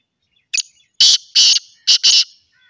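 A black francolin gives one short note, then four loud, harsh, grating notes in two quick pairs over about two seconds. There is no other sound.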